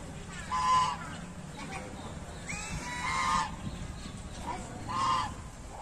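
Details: Ruddy shelduck, also called Brahminy duck: three loud nasal honks with harmonic bands, spaced roughly two seconds apart, over a low rumbling background.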